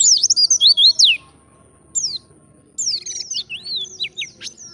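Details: Indonesian white-eye giving ngalas-style wild song meant to lure other white-eyes: a quick burst of high twitters, a lone sweeping note, then a series of high looping, slurred whistles.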